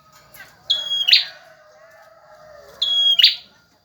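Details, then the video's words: Bar-winged prinia male singing energetically, meant for tutoring other birds: two phrases of a high sustained whistle followed by a scratchy buzzing flourish, with faint soft background chatter. "Suara burung prenjak jantan gacor"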